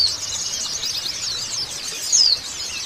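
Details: White-eye after moulting, prompted to sing: a continuous high, rapid twittering warble with quick sweeping notes, slightly louder near the end; no other clear sounds.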